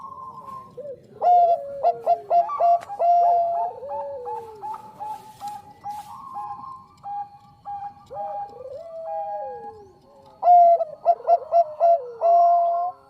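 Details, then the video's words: Bangkok zebra dove song played as a lure recording: bursts of sharp, clipped coos at the start and near the end, between them a steady held tone and soft descending rolled coos, suggesting more than one bird. "SUARA PERKUTUT BANGKOK GACOR AMPUH UNTUK PANCINGAN"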